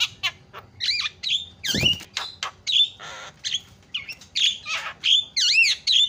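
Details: Javan myna used as a lure to make other birds call: rapid harsh rasps alternate with swooping whistled notes. One loud low thump falls near the middle.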